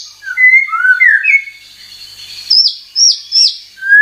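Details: White-rumped shama (murai batu) lure song, used by keepers to make caged birds sing and show their full repertoire: rich whistled phrases sliding between mid and high pitch, then a few sharp rising-falling high notes after a pause.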